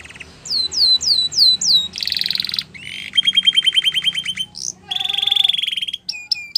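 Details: Belgian canary song mixing repeated curved whistles, a harsh buzzy burst, a fast rattling trill, a smooth high rolling trill and a few final chips.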